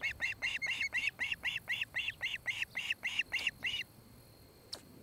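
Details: Osprey pair at a nest in Charlo, Montana, recorded by a nest camera on 26 July 2018 around 17:00: a rapid run of about fourteen sharp, harmonic chirping whistles, roughly four a second, then stopping abruptly, leaving quiet background hiss.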